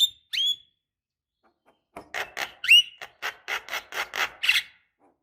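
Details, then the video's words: Lure recording of a Javan myna, a female calling a male: two sharp whistled upslurs, a pause, then a rasping series of grating notes with one clear whistle among them. "Pancingan Jalak Kebo Malas Bunyi Paling Ampuh, Dengar Suara Khas Jalak Kebo Gacor Auto Emosi"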